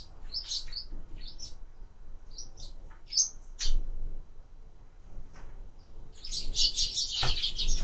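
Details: Sparrows feeding at feeders mounted on a window give scattered short chirps, with several calls overlapping into a dense chattering burst near the end; faint low background noise and occasional knocks.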